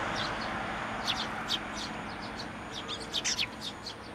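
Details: Sparrows gathering at a handrail feeder at a Tenmangu shrine on 29 June 2023 give short sharp high chirps, scattered and clustered, over steady loud background rumble.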